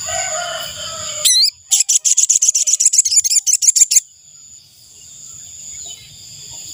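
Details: Ashy tailorbird calling, a sound used as a decoy for luring wild birds: a single two-second run of quick, dry, high-pitched chip notes in even succession after low background rumble, then a steady thin hum.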